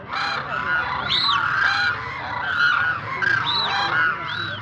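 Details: Several demoiselle cranes (koonj) give loud overlapping croaking, trumpet-like calls. Some notes bend up and down in short arches, forming a dense, unbroken chorus throughout.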